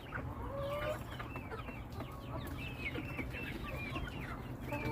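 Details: A flock of chickens calling together: overlapping short wavering cheeps and slurred notes, some rising and falling, over a steady low rumbling background hum.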